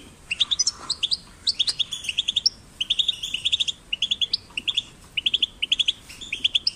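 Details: European goldfinch chicks, kept in a cage and out in nature, giving short bright chirps and twittering notes in quick bursts, spaced and repeated throughout, high-pitched and tinkling with brief pauses between phrases.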